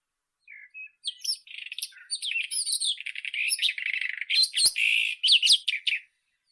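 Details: White-throated robin song: a rich, fast run of varied chirps, trills and scratchy warbled notes, high-pitched and tightly packed, swelling louder toward the end with a couple of sharp clicks.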